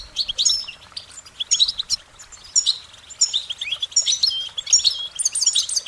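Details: Singing goldfinch giving a continuous cheerful run of short, high twittering and warbling phrases. Each tinkling cluster repeats about every half second.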